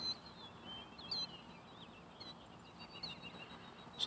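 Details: Killdeer, a male and a browner female possibly carrying eggs, walking and feeding, give thin, high, sliding calls scattered across a few seconds over a steady background hiss.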